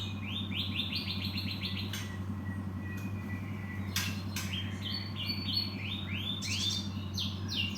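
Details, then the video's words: Cinereous tit, locally called gelatik batu, giving quick series of short chirpy notes that sweep down from high pitch, in bursts with brief pauses, over a steady low mechanical hum. "Burung Gelatik Batu"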